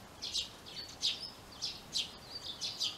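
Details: Chirping of a female Eurasian tree sparrow viewing nest boxes in a yard garage: clear, sharp high chirps repeated about once a second, with thin whistled notes between them against quiet background hiss.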